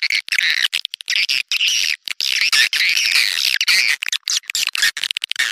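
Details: Swiftlet call played to attract swiftlets, heard as a steady, buzzy stream of high wavering chirps with brief gaps, sounding like a busy chattering flock.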